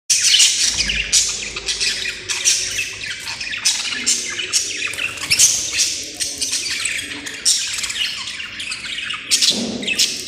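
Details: Budgerigars enjoying a morning bath chatter nonstop in a lively flock, with dense, scratchy chirps and squawks.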